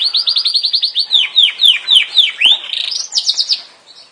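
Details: Yorkshire canary song: a fast trill of clear downward-sweeping whistled notes, then slower swooping notes and a quick high rolling finish.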